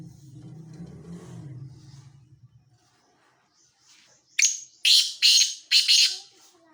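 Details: Breeding call of a male black francolin, or kala teetar: a low background hum fades, then after a pause come four loud, grating, buzzy notes about half a second apart.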